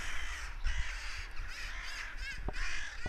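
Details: Several crows caw harshly and raucously, apparently mobbing a goshawk that had been hunting; their hoarse calls overlap in a continuous agitated chorus over a low rumble of wind.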